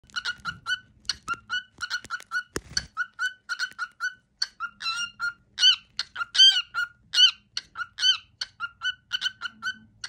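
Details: Pet male cockatiel sings his favourite daily tune, the cookie song: rapid runs of short clear whistled notes at one steady pitch, with louder, higher, rising-falling whistles in the middle of the phrase. The room is quiet.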